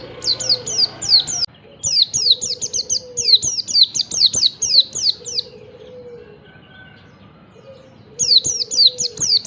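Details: Yellow-breasted Oriental white-eye in wild-style morning song, a lure for other white-eyes: long runs of rapid, high, slicing down-slurred notes with a brief quiet spell, and a soft lower whistle repeating underneath.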